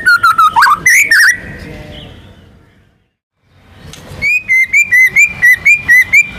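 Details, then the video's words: White-rumped shama, a national contest champion, singing with mimicked material: quick chirps and twisting whistles, a short silence, then a steady series of about ten bright whistled notes repeated in a lilting rhythm. "MURAI BATU GACOR MANCING BURUNG LAIN BUNYI‼️ MATERI ISIAN NGEROL NEMBAK IRAMA LAGU LENGKAP ISTIMEWA"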